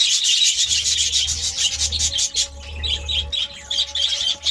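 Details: Budgies chirping in the morning, a loud burst of dense high twittering that thins into scattered warbled chirps, with a faint steady tone and low hum behind.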